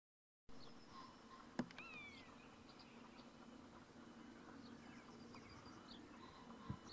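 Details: Common buzzard in East Sussex, one of two pairs flying really high; a single drawn-out mewing call slurs downward and fades, with faint small-bird chirps and steady low background hum around it.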